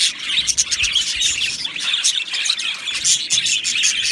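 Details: Many Australian budgies in a colony aviary chirping and singing, a thick, even chorus of squeaky twitters and bubbling warbles running without a break.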